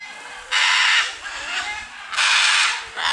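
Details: Scarlet macaws at a wildlife reserve in Punta Islita, Guanacaste, Costa Rica, descending from a Guanacaste tree: two loud, harsh, raspy squawks about one and a half seconds apart, with a quieter third starting at the end.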